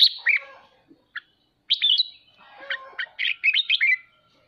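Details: Red-whiskered bulbul song used to stimulate pet birds to sing: bright, varied whistled phrases with quick slurred notes, short pauses between bursts, and a rapid chattering run near the end.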